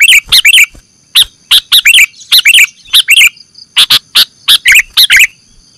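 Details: Sooty-headed bulbul calls as a trapping lure: paired and tripled bubbly, rising chirps repeated in a lively irregular rhythm, with a constant faint high-pitched whine behind.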